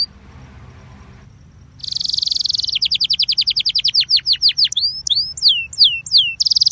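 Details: Song of a Belgian canary, played to warm up canaries, begins after a quiet second: a buzzy trill, then rapid repeated descending notes and looping whistled slurs, ending on another dense trill.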